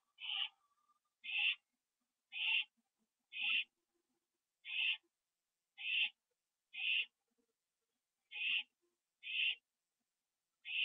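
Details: Owl at a nest at night, 9 October 2011, after an adult delivered a captured bird that was eaten inside; short raspy hissing screeches repeated about once a second, each brief and steady, in an otherwise quiet setting.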